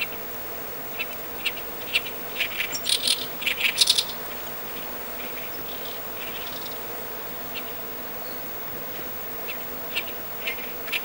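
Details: Oriental reed warbler singing in the rain in Japan on 20 June 2013: a burst of harsh, chattering notes early on, then scattered shorter phrases over a steady hiss of rainfall.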